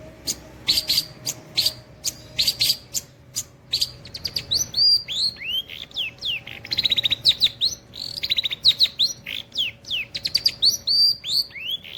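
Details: A long-tailed shrike in unbroken nembak cililin song. Sharp high chirps open, then a fast run of varied slurred whistles, many dropping or rising in pitch, packed densely together for about twelve seconds.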